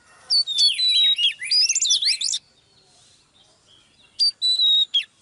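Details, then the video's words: Oriental magpie-robin female, heard live while stirring up a male, gives a dense two-second jumble of rising and falling whistles, then quiet, then a few clear level whistled notes near the end. "chòe than mái KÉO TRỐNG LÊN ĐIỆN"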